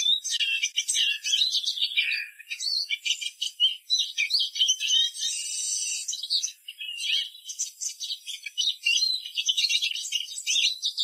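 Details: Eleven seconds of steady, lively twittering from a Eurasian siskin, dense high chirps with a longer wheezy passage midway.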